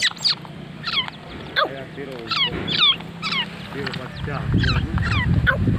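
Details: A mid-aged grey francolin gives shrill, ringing notes, repeated about once or twice a second, over a low rural rumble and faint voices.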